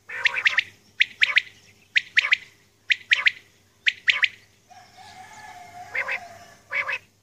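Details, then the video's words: Early-morning calls of a female common quail: rapid harsh two- and three-note groups repeated about once a second, then a steady droning tone and a brief hiss before two final groups. "Batair Ki Awaz | Aj Suba ki Recording | Common Quail Calling | Female Quail Calling | Maadi Batair"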